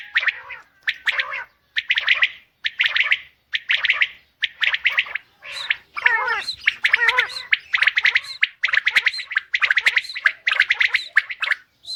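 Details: Female common quail calling: a steady series of short, raspy, harmonic bursts repeated about once a second, with a few longer twisting gargled notes near the middle, clear against a quiet background.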